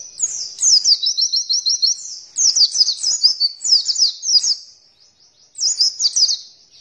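Oriental white-eye singing three bursts of very high, rapid twittering trills, each about two seconds long, separated by short pauses; nothing else is heard.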